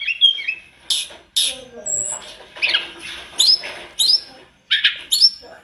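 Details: Sunda robin singing in short loud bursts: a quick whistled opening, then a series of harsh buzzy and sharp high notes spaced about half a second to a second apart.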